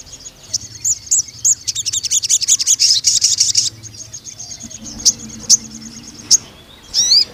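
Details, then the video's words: Ruby-cheeked sunbird (sogon) song meant for tutoring young speckled males: thin high chips leading into a dense, rattling high trill, followed by scattered sharp ticks and a final rising slurred note. "BURUNG SOGON GACOR NEMBAK PANJANG UNTUK PANCINGAN MASTERAN TROTOL JANTAN"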